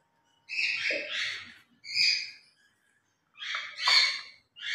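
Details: Two pet grey parrots during their morning routine, playing and a little noisy while speaking words; harsh, speech-like squawks in three bursts with broad bright bands, separated by short pauses.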